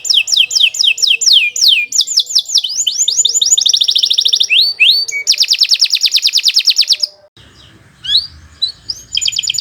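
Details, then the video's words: Long, continuous canary song intended to teach other birds: rapid falling whistles, rolling trills at several pitches, a loud buzzy tour, a brief pause, then scattered notes and a fresh trill. "Kicau Burung Kenari 116 II GACOR PANJANG"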